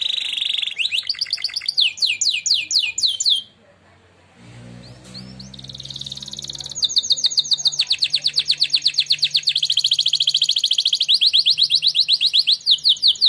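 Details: Caged canary, a singing contest winner, delivering a training song: fast high buzzy trills and rolling repeated notes, a brief pause near the middle, then a long sustained rapid trill to the end.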